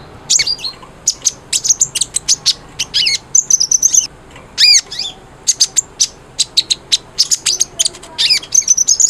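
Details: Energetic Cinereous tit song meant to provoke a silent bird into calling: bursts of sharp high chips, several swooping whistled notes and brief trills, separated by short gaps, over faint steady background hiss.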